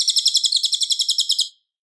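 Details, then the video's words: Loud, clear song of a Cililin, recorded for teaching White-rumped Shamas: a fast, high-pitched run of chipping notes in a steady rattle that ends abruptly after about one and a half seconds. "MASTERAN MURAI BATU - suara Cililin Gacor jernih keras berjeda 10 detik"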